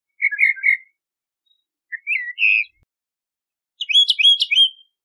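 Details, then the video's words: Song of a Bahama mockingbird in three separate bursts: a warbled chatter, a rising slurred phrase, then a higher, busier jumble of quick notes, with pauses between. "Bahama Mockingbird Song! Bahama Mockingbird Voice! - Sinsonte De Bahamas Canto - Mimus Gundlachii"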